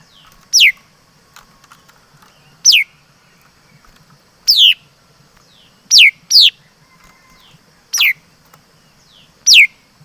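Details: Over ten seconds a laughingthrush (chim mi đất) repeats loud, sharply down-slurred whistles about every one to two seconds, seven notes in all, one of them closely doubled.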